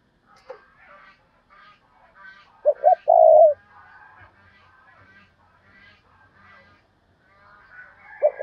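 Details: Decoy spotted dove calling in 'thúc bổi' style to lure wild doves: a single low cooing phrase midway, two short notes then a longer drawn-out coo. Thin, high chatter from other birds runs throughout.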